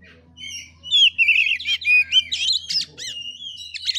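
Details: Kacer (oriental magpie-robin) fighting-style song, 'gaya kura kura': loud wavering whistles and buzzy trills pour out quickly, broken by sharp rising-falling slurs, with a constant low hum beneath.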